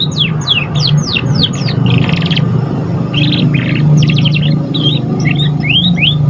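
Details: Young canary just beginning to learn its song: a run of quick downward-sliding whistles, then buzzy rattling trill bursts and short rising notes, over a constant low droning hum.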